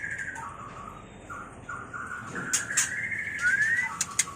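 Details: White-rumped shama mating song for training and luring birds: a long run of smooth whistles near one pitch that rises slowly toward the end, broken by a few sharp high clicks.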